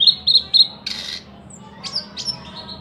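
Thrush nightingale song: three quick high clicking notes, then a harsh grating burst, then loud whistled notes that slur downward.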